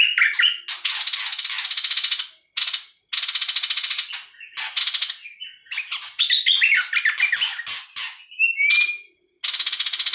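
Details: Harsh, buzzy rasping phrases from a bird called nok dok taeng in Thai, each lasting about a second, repeated with short gaps. Some quick chattering notes and a single clear whistle come near the end.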